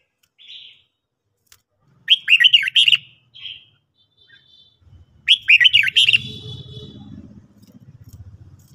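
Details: Red-whiskered bulbul singing at morning for training: two energetic phrases of tumbling, whistled chirps several seconds apart, with soft single notes between and a low rumbling noise rising toward the end.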